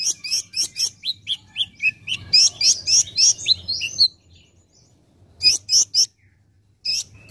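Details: Olive-backed sunbird in full song on a masteran tutor recording for cage birds: a quick string of sharp descending chirps at about four per second, a brief pause, then a few more shrill notes.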